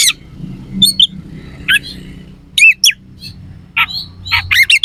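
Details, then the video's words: Oriental magpie-robin singing rough fill phrases to provoke rivals: short clusters of sharp whistles and raspy notes every second or so, over a steady low hum of background noise. "Suara kacer gacor NEMBAK ISIAN KASAR/Bikin semua KACER jadi EMOSI"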